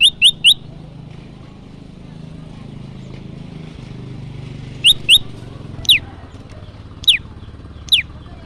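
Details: Olive-backed tailorbird notes from a trapping lure recording: a quick triplet of rising chips, then after a long pause scattered single and paired notes, some sliding downward, over steady traffic-like rumble.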